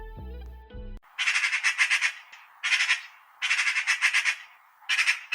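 Eurasian magpie chattering: four harsh, rattling bursts of rapid notes separated by short pauses. A moment of music comes just before.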